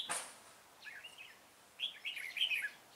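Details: Red-whiskered bulbul at a trapping session on 25 April 2017: a sharp click, then two lively warbled phrases of liquid whistled notes, the second louder and more fluttering.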